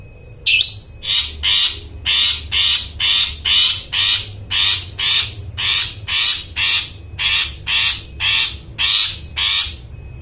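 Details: Long-tailed shrike, played to rouse silent birds: long steady series of harsh grating rasps, about two per second and very regular, after an opening sharp rising note.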